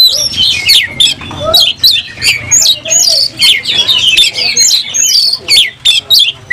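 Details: Oriental magpie-robin singing hard in a fighting mood with its tail spread: a fast, varied run of bright whistles, sharp rising and falling slurs and chirps, in short bursts with brief gaps.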